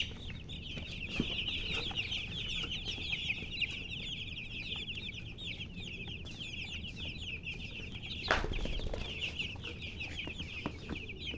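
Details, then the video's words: Many baby chicks chirping together, a steady stream of rapid, thin, high peeps running through the whole stretch over a low background hum, broken once by a sharp knock. "Baby "Chicks Chirping" Sound"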